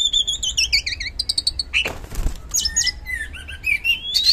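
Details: Kacer, the oriental magpie-robin, singing in the loud 'gacor ngeplong' style meant to lure a silent bird into song: bouncing repeated looped whistles, a brief burst of broadband noise midway, then rising twisting phrases.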